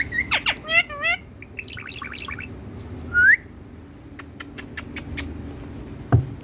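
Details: Pet parrot in India speaking in a sweet voice: a few quick harmonic, voice-like syllables at the start, then a single bright rising whistle, followed by a run of sharp clicks and ticks.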